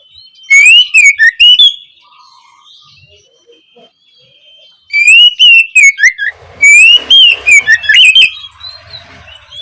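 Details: Oriental magpie-robin giving its opening song, meant as training material for juveniles: two clipped-loud bursts of rising and falling whistles with crisp high ticks, a quiet gap between them, and a faint steady tone in the background.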